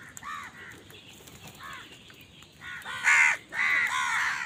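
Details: Crows fighting over food: softer, hoarse caws at first, then a sudden burst of louder, rougher cawing toward the end.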